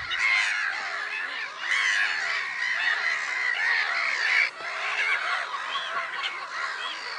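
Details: Black-headed gull flock at Lake Sarymsak in Kazakhstan's Pavlodar region, 10 April 2011: loud, raucous squawks from many birds pile on top of each other, with a brief dip partway through.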